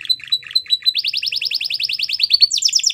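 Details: Belgian canary singing a teaching song for young canaries: quick chipping notes, then a long train of fast repeated downslurred syllables around the middle pitch, shifting to higher, sharper notes near the end.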